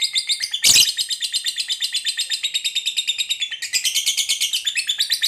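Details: Lovebird of fighter type giving a long ngekek chatter, used as bait to spur lazy lovebirds into singing: a fast, even stream of high, harsh pulsed notes, broken near the start by one loud burst.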